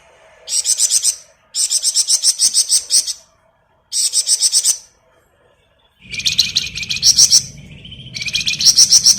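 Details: Energetic ngebren song of a flamboyan bird, kept for tutoring other songbirds: loud, rapid, high-pitched trilled phrases of one to one and a half seconds with brief gaps, later mixed with a lower continuous buzzy rattle and faint background hum.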